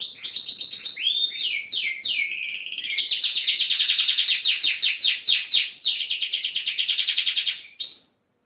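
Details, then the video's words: Lively, energetic canary in full song: a continuous loud stream of high, rapid trills with sweeping whistled slides near the start, pulsing units repeated several times a second, ending abruptly after about eight seconds. "Kicau Burung Kenari Gacor"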